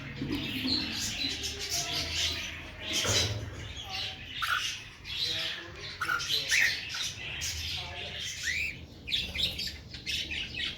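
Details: A female cockatiel, said to be sad and angry over the deaths of her two young, gives harsh, raspy squawks in irregular bursts, with some lower murmuring sounds in the background.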